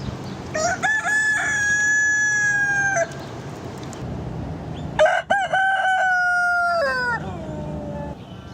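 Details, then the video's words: Two complete rooster crows, each with stuttering opening syllables and a long, steady, nasal held note. The second crow falls away at its close. Faint low background hum fills the gap. "Rooster crowing"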